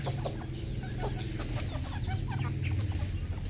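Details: Red junglefowl on a farm in Cambodia: short clucks and soft chirping notes from several birds, scattered through the clip over a steady low hum.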